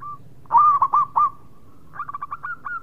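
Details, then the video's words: Local Zebra dove. It gives a few strong, rounded, hooked coos in quick succession, then a lighter run of short rolling notes at the same pitch, over a quiet background. "Perkutut Lokal Gacor Suara Mewah"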